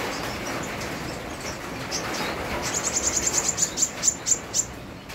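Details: Sunbird singing in the rain: a rapid series of high, sharp, evenly spaced notes, about a dozen in two seconds, over a steady rain hiss.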